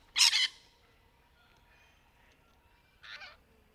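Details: Rainbow lorikeet in trees during courtship: a loud, harsh screech at the start, then near silence, then a second, softer grating screech about three seconds later.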